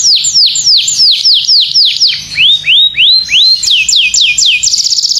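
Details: Domestic canary song used to train other birds: a series of loud descending whistled slurs, then rising swept notes, ending in a fast repeated trill, clear and close with no background noise.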